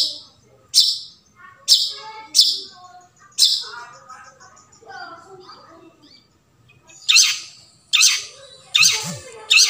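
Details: Long-tailed shrike in the wild, forest recording meant to prompt quiet shrikes to sing: scratchy grating bursts at uneven intervals, a gap filled by soft warbling chatter from other birds, then more rasping notes.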